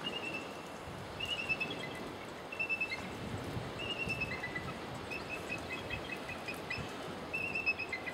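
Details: Bald eagle at Cama Beach, Camano Island, Washington, one perched on a limb as another lands beside it, gives thin, high piping notes in short bursts every second or two, faint over steady wind and outdoor rumble.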